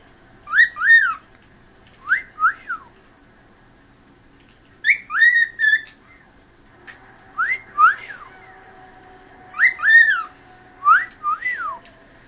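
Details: A pet cockatiel that loves to sing whistles a series of clear, rising-and-falling notes in short phrases with pauses between.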